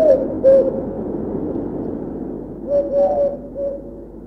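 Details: Eurasian collared dove in Bulgaria in autumn: soft, hollow low coos, two brief notes, a pause, then a longer three-part coo, over a steady hiss of an old recording.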